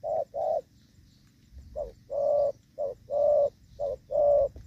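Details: Spotted dove in the 'gù vấp' coo style, recorded while trapping with a decoy bird in the rainy season on 23 July 2024: deep short-long coo pairs with a pause after the first two notes. The background is quiet.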